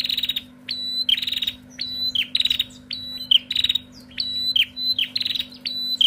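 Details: Female bar-winged prinia calling noisily, alternating sharp flat whistles with rapid stuttering rattles at roughly one-second intervals, steady low hum in the background.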